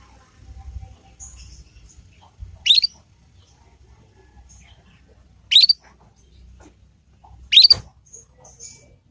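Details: Young Yorkshire canary, kenari paud, practising the 'ngriwik' sound meant to lure other canaries into answering and learning; three sharp upswept high chirps spaced two to three seconds apart with faint thin twitters between, quiet room.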